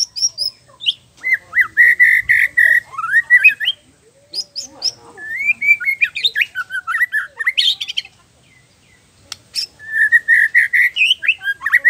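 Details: White-rumped shama (murai batu) in full, continuous 'gacor' song packed with varied phrases: bright whistled notes, fast chattering trills and buzzy bursts, rising and falling, with brief pauses between strophes.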